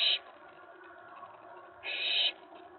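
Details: Owlet inside a nest box on 19 May 2017 at night, excited by an owl landing on the tray; a clipped hiss at the start, then one long rasping, breathy burst.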